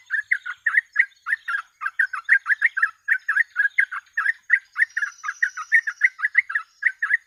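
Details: Sooty-headed bulbul in continuous 'ropel' style, a lure and training song: an unbroken stream of rapid, bright, bubbling notes, roughly four to five each second, steady and evenly loud throughout.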